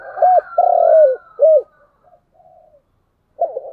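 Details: Spotted dove giving 'chiêu' and 'thúc' style cooing: a low hoot, a long sliding coo and a further short hoot, followed by soft trailing notes and a fresh phrase starting at the end; no other sounds.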